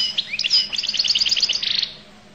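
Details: Goldfinch from Collo delivering a continuous run of quick, liquid, tinkling notes, a rapid trilling twitter lasting about two seconds before fading, with a soft hum behind.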